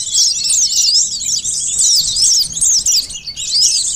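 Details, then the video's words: High-pitched sunbird song for luring birds: repeated sharp falling and rising whistled slurs in rapid sequence, steady and shrill throughout. "suara pikat burung konin sogon korlap kolibri madu || pancingan suara burung madu"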